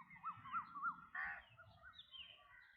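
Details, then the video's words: Black drongo giving three quick wavering whistled notes, followed by one grating burst and softer slurred notes, over a low rumbling background. "Black Drongo Bird Sound"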